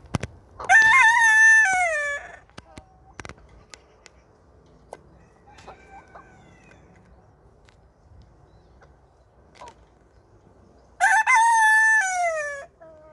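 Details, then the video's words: Wyandotte rooster crowing: two loud, drawn-out harmonic crows, each about two seconds with a rising start and falling end, roughly ten seconds apart, separated by near silence and a few faint clicks and knocks. "Wyandotte rooster crowing"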